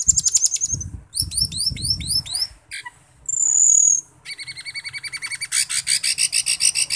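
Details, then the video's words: Asian glossy starling, its song played as a lure to get birds singing steadily: bursts of high metallic chirps, a sustained piercing whistle, then rapid, evenly repeated buzzy notes about four per second over a faint low hum. "Pancingan Cucak Keling Biar Gacor Teler"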